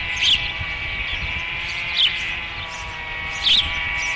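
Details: Osprey calling at the nest at Dunrovin Ranch during the third feeding, 30 May 2016: three brief, wavering, piping chirps spaced about 1.5 seconds apart, with a steady background drone.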